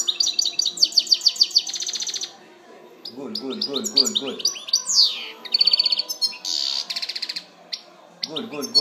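A European goldfinch sings a fast, bright tumble of tinkling twitters, buzzy trills and liquid notes, with a lower, rattling sound breaking in twice.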